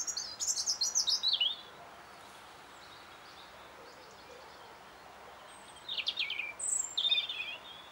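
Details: A European robin singing in spring, March 2014, gives two short bursts of thin, high, tumbling warbles with falling trills, separated by a pause of about four seconds.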